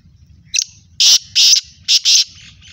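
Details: Kala teetar, the black francolin, utters a brief thin note and then two pairs of loud, scratchy, grating blasts with short gaps between them, set against a steady low hum.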